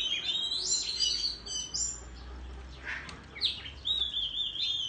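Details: Oriental magpie-robin in the countryside, singing competitively and fanning its tail; high whistled phrases and sliding notes over a steady low rumble, with a softer chirpy stretch midway.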